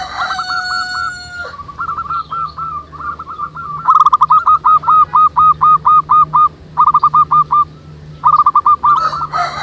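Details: Several local zebra doves singing together in the wild, a busy chorus of rapid, hooked cooing notes in quick bursts, with a louder harmonic call at the start and a steady low hum beneath.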